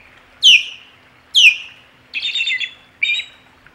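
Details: Alarmed osprey at the Hog Island nest, 27 July 2020, reacting to an intruder: two piercing downslurred whistles followed by two harsher, buzzy chattering notes.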